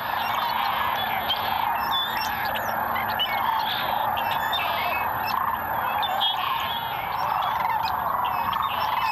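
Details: A large wintering flock of lesser sandhill cranes at Merced National Wildlife Refuge wetlands, Central Valley, California, 11 February 2021: a steady roar of overlapping rolling, rattling calls with scattered higher chirps and squeaks above it.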